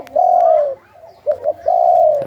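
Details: Spotted dove singing in the Thai song style called sai khu ang: a long, steady mid-pitched coo, a pause, two short quick coos, then another long drawn-out coo, clean and close.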